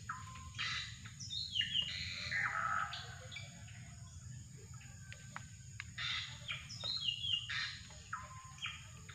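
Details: Drongo calling continuously for bird luring: a varied stream of rasping bursts, sliding whistles and sharp clicks with little pause, over a persistent high-pitched insect hum.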